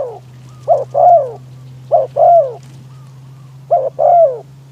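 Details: Spotted dove kept as a trapping decoy, calling to attract wild doves amid strong wind: three brisk coo-croo phrases, the long note arching then falling, over a constant low hum.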